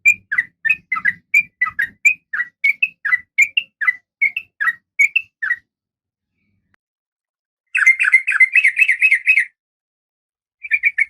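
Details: Breeding-condition female oriental magpie-robin calling for the male, kept captive. A run of short whistled notes, a silence, then a dense buzzy chattering burst followed by a brief second burst.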